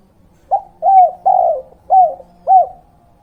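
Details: Spotted dove (derkuku/tekukur) lure recording with the 'kuk 2' cooing pattern, used to attract wild birds and train young birds: five low, hollow coos in about two seconds, the middle notes longer and the others short and slurred, against a faint low hum.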